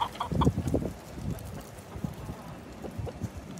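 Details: Chickens being fed on a gloomy day: a cluster of low, throaty clucks in the first second, then softer scattered clucks over a steady background rumble.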